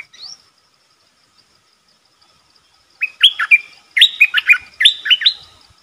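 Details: Red-whiskered bulbul decoy calling to attract a territorial wild bird: a faint note at the start, a quiet gap, then rapid runs of rich, chirpy warbled phrases in close succession.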